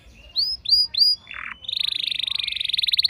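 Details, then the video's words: Home-kept canary, normally a weak singer, replying at once to another bird: three upward-slurred whistles and a short harsh buzz, then a long, rapid, even rolling trill of high notes. "Seketika Respon Kenari Rumahan Yang Kurang Gacor Langsung Nyaut Bisa Ngeroll Panjang"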